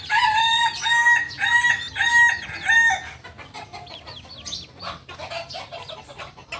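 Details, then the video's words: Kukuak Balenggek rooster, a native singing chicken of Solok, delivers a stepped, multi-tiered crow: about four loud, harmonic-rich syllables in quick succession over three seconds. Small birds then chirp and twitter in the background. "Ayam kukuak balenggek ayam asli solok"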